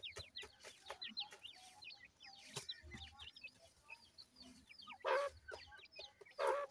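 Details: Grey francolin chicks feeding and playing, with many short, shrill, downward peeps overlapping steadily. Two loud, harsh bursts of noise come near the end.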